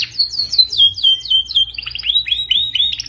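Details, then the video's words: Canary performing training song for other canaries: a smooth run of sliding whistled notes holding a similar pitch, then quicker, choppier falling notes toward the end. "KANARYA SESİ EĞİTİM ÖTÜŞÜ CANARY VOICE!!!"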